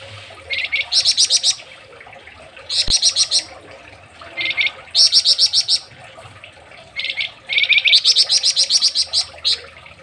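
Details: Flamboyan songbird from Indonesia on a master recording used to train other songbirds: bursts of rapid, high, bright chattering notes, about a second each, repeated after short pauses, some starting lower and stepping up in pitch.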